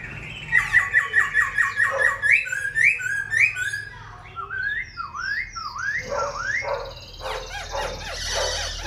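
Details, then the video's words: Silver-eared laughingthrush kept in a cage, singing throughout the day with a wing-and-tail display: a fast string of repeated whistled notes, then looping rising and falling whistles and harsh chattering phrases. "Khướu bạc má vip múa cánh đuôi xòe, chim thuần sách lồng hót, hót cả ngày"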